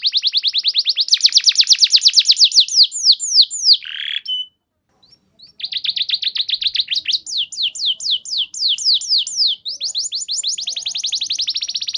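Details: Canary lure song for training other canaries to sing: rapid loud trills of falling high notes, repeated many times a second, break off near four seconds with a short buzzy note and a brief silence, then resume as long fast rolling trills.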